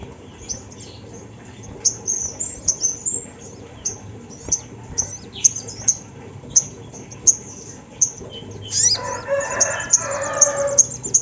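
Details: Sunda laughingthrush singing as a lure for other birds: spaced, high, needle-thin chips roughly every half second. A rougher, noisy burst about three-quarters through is followed by a fast, bright twittering flourish.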